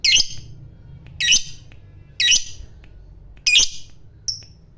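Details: Lovebird kept for its long ngekek chatter, which is used to spur rival lovebirds to call. Harsh, high squawks come in short bursts about once a second, with a faint thin note at the end.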